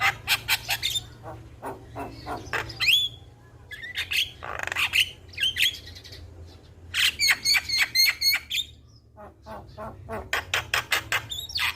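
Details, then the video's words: Young Asian pied starling singing without pause: fast rattling click series, whistled rising notes, a grating squawk passage, then more rapid clicking trains repeated through the clip. "MAsteran Burung Jalak Muda Bikin Rajin Bunyi Tanpa Henti - Jalak Kebo Gacor Juara"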